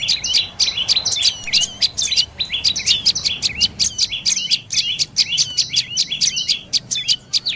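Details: Sharp, bright twittering of a dark-necked tailorbird, repeated quickly in tight clusters of clipped high notes with brief pauses between bursts, over a faint low hum.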